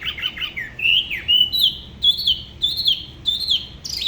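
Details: Spot-throated babbler, a Da Lat bird from the La Ba river area with a song unlike other regions, sings a solo of clear slurred whistles, rising and falling notes spaced about every third of a second.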